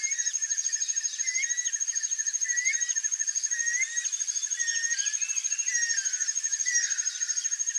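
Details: A free-living pair of Guira cuckoos trade short, slurred whistles that rise and fall, several a second, over a steady high insect drone.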